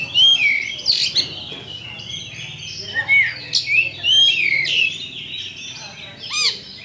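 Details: Oriental magpie-robin, a champion kacer, in a lure song used to spark fighting: a rich stream of varied whistles, slurs and sharp upswept notes, loud and nearly continuous for seven seconds, with a low background hum.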